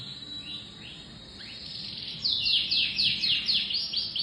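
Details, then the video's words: Canary song opening with a few faint sweeping notes, then breaking into a loud, fast run of repeated downward-slurred chirps, about four per second. "Setori burung kenari"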